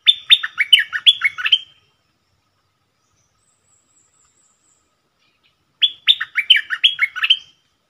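A bulbul sings two quick bursts of bright, bubbly, falling notes, each under two seconds, separated by a few seconds of silence.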